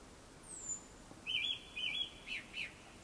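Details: Japanese thrush before sunset, giving a thin high note, then a burst of rich, slurred whistled notes in quick groups.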